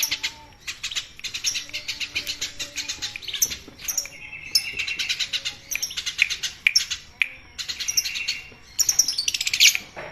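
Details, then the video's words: Eurasian tree sparrow used as a model voice for training songbirds, chattering busily in sharp, rapid chirps that run on almost without a break, with occasional thin whistled notes mixed in. "masteran Burung Gereja: Si Kecil Bersuara Ramai"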